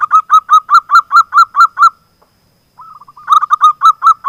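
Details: Active local zebra dove song played as a lure for doves that will not sing: about nine evenly spaced, rolling coos, a short pause, then a soft trill leading into another fast series.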